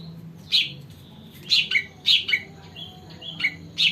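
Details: Sumatran cucak ranting sung to draw in birds: spaced loud sharp chirps, about one every half second, with short thin whistles between.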